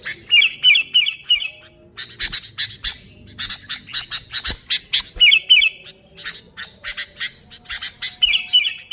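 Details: Sooty-headed bulbul in lively song, no other birds mixed in, used as a lure: fast harsh chattering bursts, about three a second, broken by short bubbly whistled phrases.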